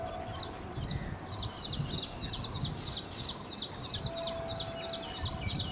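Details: Pied bushchat, shown as a male and female pair, gives a rapid run of short, sharp chipping notes, about three each second, steady and high, over a low rumble of background noise.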